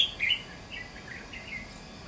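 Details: Wild red-whiskered bulbuls, a pair including a mutant female, near a decoy bird brought out to test: a few short chirpy notes, loudest at the start, then softer scattered twittering over a steady high hiss.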